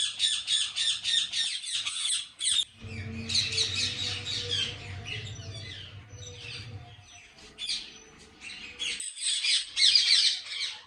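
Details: Many ringneck parrots kept at a breeding farm in Pakistan, calling in quick repeated shrill chirps about three per second, over a droning low machine hum that runs through the middle of the recording.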